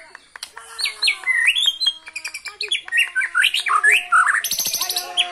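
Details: White-rumped shama, a kept bird from Cilacap, Indonesia, singing brantakan fill material: a rapid string of varied slurred whistles rising and falling, ending in harsh high chatter.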